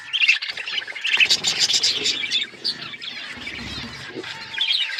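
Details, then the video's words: Budgerigar chatter of squeaky, warbled high notes, rising and falling in loudness, with a quieter stretch before a final burst of chirps. "Budgies beautiful colours birds chirping sound"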